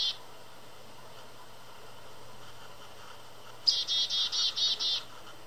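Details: A Black-capped Chickadee perched on a small branch hidden in a snowy bush in winter, Southern Ontario, Canada, gives a brief high note, then a quick run of about six harsh, buzzy 'dee' notes over a faint low hum.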